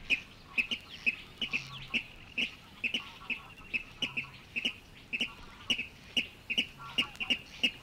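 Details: Water Rail in reed-bed habitat at Matsalu, USSR, from a 1979 vinyl field recording; a long series of brisk, high kip-like notes, unevenly spaced at about two per second, with soft background murmur and clicks.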